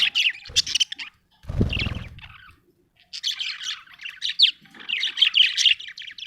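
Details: Contented budgerigar chattering in fast, high, twittering chirps, broken by a short low thud, then resuming a dense scratchy warble.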